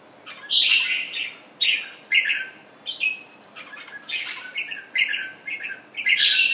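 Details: Thailand red-whiskered bulbul, a caged bird just through moulting, repeats loud warbling phrases about once a second, rich and slurred, separated by quieter notes and fluttering.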